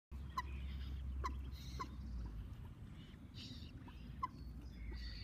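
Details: Common moorhen (Gallinula chloropus) chicks give short, sharp peeps at irregular intervals, roughly one every second or so, over a steady low rumble of background noise.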